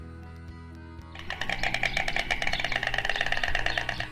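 Instrumental music plays, starting with low sustained tones and then becoming a bright, busy, rhythmic passage; no animal sound is heard.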